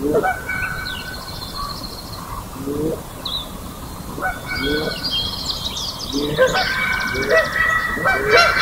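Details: Canada Geese in the Johnson Prairie amphitheater on the morning of May 4, 2016, competing with Sandhill Cranes for the loudest noise. Rising honks come every second or so, while crane calls and high trilling build toward the end.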